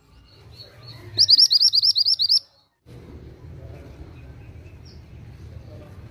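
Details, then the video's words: Vigorous Oriental magpie-robin song, a tight series of roughly ten high, clipped upward-sweeping whistles over about a second, followed by a pause and low hum. "BURUNG MANTENAN GACOR!"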